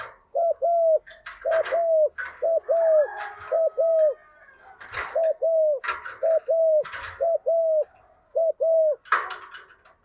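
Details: Spotted dove used as a decoy, cooing to call the flock in the 'một hậu' style: rhythmic pairs of short mellow coos repeated throughout, over frequent clattering and knocking noises.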